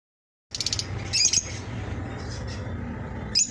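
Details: Eye-ring lovebirds giving a few shrill, high squeaky chirps in short bursts near the start and end, over a steady low rumbling hum.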